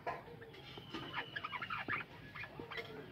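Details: Many budgerigars calling together in a captive colony aviary: a busy overlapping stream of short, bright chirps and warbled notes. A faint steady whine runs underneath.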